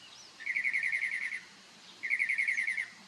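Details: Two rapid, even trills, each lasting about a second, from a bird singing and dancing in the morning on Marco Island, Florida.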